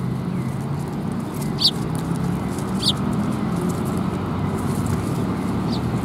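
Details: Sparrows at a Tenmangu shrine on 9 December 2021: three short, bright chirps spaced over several seconds against steady low rumbling background noise.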